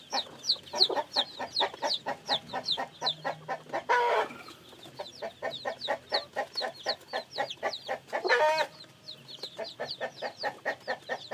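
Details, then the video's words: Many newly hatched chicks peep in quick, high, downward-sliding notes, running almost continuously, with lower clucks underneath and two brief louder squawks around the fourth and eighth seconds. "Âm thanh gà con mới nở kêu, gà kêu, gà gáy"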